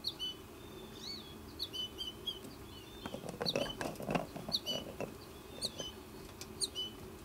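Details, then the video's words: American goldfinch fledglings, the last two left in the nesting tree, give high, thin, twittering calls in short bursts about every second as the mother comes to feed one. Rustling and flapping sound midway; she may be urging them to leave. "Goldfinch Mom Encourages Youth to Leave Nest"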